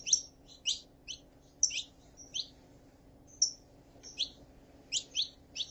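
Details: Saffron finch, female calling and male singing: spaced high chirps and brief whistled notes, roughly two per second, against a steady low background hum.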